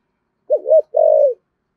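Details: A single mellow two-note coo from a decoy spotted dove of the 'giọng thổ' voice type. A short rolling note is followed by a steady, longer note that fades downward.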